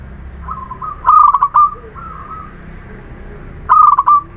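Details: Local Muria zebra dove, used to coax silent birds into song, delivers a soft lead-in note, a fast rattling coo phrase with a held ending, then another phrase near the end.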